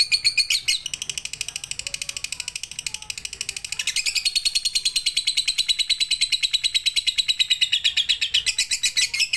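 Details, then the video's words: Lovebird training recording for night use: rapid, rattling chatter with a few sharper upslurred notes, then a long, even run of fast buzzy pulses that swells louder toward the end. "MASTERAN SUARA BURUNG LOVEBIRD COCOK UNTUK MALAM HARI FULL PIGTER"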